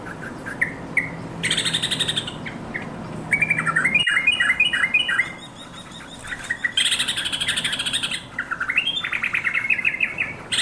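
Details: A yellow-vented bulbul calls out to companions with alternating harsh, buzzy rattles and long runs of rapid, bright chirping. The notes come about three times a second, with a few brief pauses between bouts.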